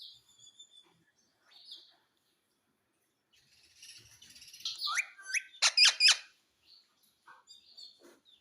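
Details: Pet Indian ringneck parakeet giving a burst of loud, sharp, high chirps and a downward-sliding note after quiet faint twitters, then soft scattered clicks.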